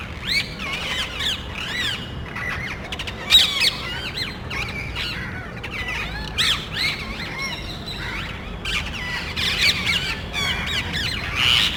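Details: Parrots searching electrical and TV cable boxes for a nest site, calling noisily before flying off; continuous overlapping harsh screeches and squawks from several birds.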